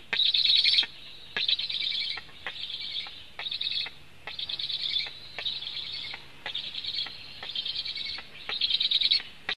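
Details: Nest camera at a Latvian black stork nest, 24 July 2015, afternoon food delivery; a loud rasping wheeze opens, followed by a string of shorter hissing bursts about every half second, punctuated by sharp clicks.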